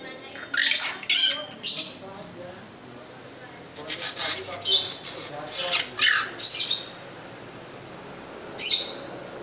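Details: Loud-voiced, long-tailed pentet raja (long-tailed shrike) in gacor form, uttering about ten brief rasping, screechy high bursts: clusters of two or three separated by short quiet gaps, ending with one isolated burst.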